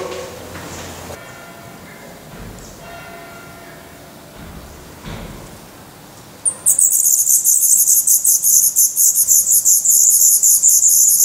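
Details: Black redstart chicks in a nest in Portugal, 16 May 2020, eyes open, with a camera placed close to the nest. A quiet start gives way to loud, very high, hissy begging bursts repeated rapidly in a dense chorus.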